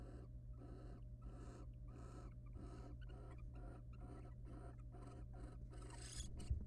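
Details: Wild barn owls courting inside a nest box, male preening then mating with the female; a rapid, continuous run of short raspy pulses builds to a louder hissy burst at the end, over steady low hum.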